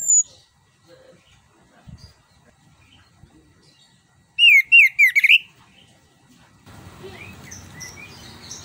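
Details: Orange-headed thrush, a Southeast Asian forest songbird, singing a lively 'gacor ngerol' song used to lure a silent bird into singing: one quick burst of rippling, high whistled notes lasting about a second, then faint hiss.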